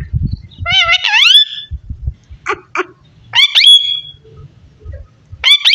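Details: Parrot talking: a loud warbled whistle sliding upward, a pair of raspy short syllables, then two bright rising whistled notes, with muffled low knocks beneath.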